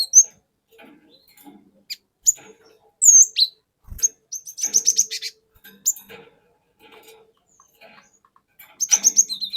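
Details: Lure song from a wild-caught cinereous tit: isolated sharp high notes, then a fast rattling run of chirps and a closing burst of rapid repeated notes.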